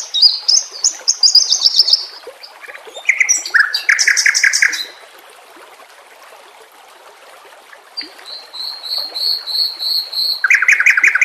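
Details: Song of a white-rumped shama (murai batu) used to train captive birds, recorded with nature sounds and trickling water: varied phrases, high whistled runs, lower buzzy rattles, a quiet stretch, then steady repeated high notes and a harsh chatter.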